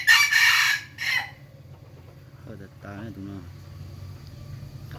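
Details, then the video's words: Rooster giving a loud, hoarse crow in the first second, followed by a brief second burst, then soft short harmonic clucking notes about two seconds later over a low background hum. "suab qaib qua zoo nawb"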